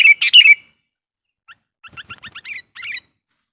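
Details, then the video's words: Sooty-headed bulbul lure song meant to provoke wild bulbuls: a loud, rich bubbly phrase at the start, followed after a pause by soft rapid chirping notes. "suara burung KUTILANG GACOR GARUDA bikin emosi kutilang liar"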